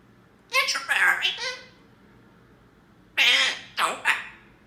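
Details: Talking parrot emotionally saying "come on": two separate bursts of high-pitched, speech-like syllables, each a few quick voiced sounds, separated by nearly two seconds of quiet with faint room hum.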